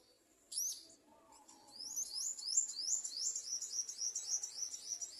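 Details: Nest of Garden sunbird with chicks being fed; after one loud high squeak, a rapid run of thin, high, down-slurred chirps repeated several times a second, steady and insistent, over quiet background.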